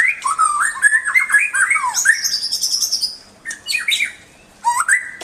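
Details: Varied white-rumped shama song: warbled rising and falling whistles, then a high buzzy trill, a pause, and further chattering notes ending on an upslurred whistle.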